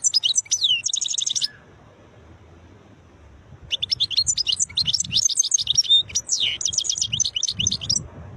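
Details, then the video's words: Wild (khlawi) European goldfinch singing beautiful notes: a fast, high, buzzy-tinkling phrase of about a second and a half, a pause, then a long run of rapid twittered and trilled notes for nearly five seconds. "تغريد حسون خلاوي نوطات جميلة"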